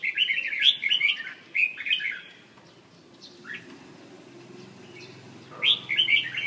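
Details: Red-whiskered bulbul from central Vietnam, two quick chirpy warbled phrases at the start, a long quiet gap with faint background hum, then another bright burst near the end.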